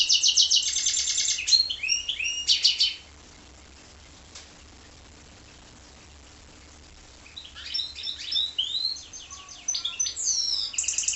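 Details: Bursts of high, rapid trilling and chattering from a goldfinch × canary hybrid, a long silent stretch in the middle, then another lively run of varied twittering notes.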